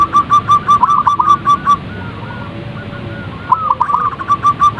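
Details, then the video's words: Zebra dove calling: clear mid-pitched cooing notes in quick staccato runs with short rolling trills, one burst in the first two seconds and another near the end, over steady low background noise. "Panggilan suara perkutut agar cepat bunyi & gacor | zebra dove calls bird"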